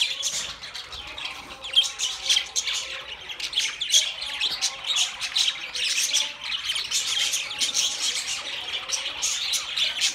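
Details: Budgerigars in long, dense chatter, raspy squawks mixed with rapid twittering warbles that run unbroken from start to finish.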